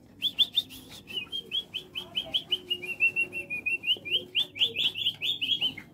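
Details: White-rumped shama in an aviary: a fast run of short, bright whistled and chirping notes, steady and rapid for several seconds, with a faint low hum behind.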